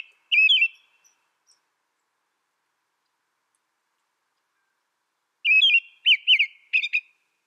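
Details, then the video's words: A short whistled burst from an American robin opens, followed by nearly five seconds of quiet, then a fuller phrase of several slurred, bouncing notes with high, thin overtones. "American Robin Bird Sound, Bird Song"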